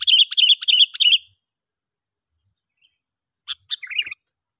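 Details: Lure call of the Sooty-headed bulbul for bringing in other bulbuls: a fast burst of rhythmic, trilled notes lasting about a second, silence, then a few sharp chirps ending in a short warble.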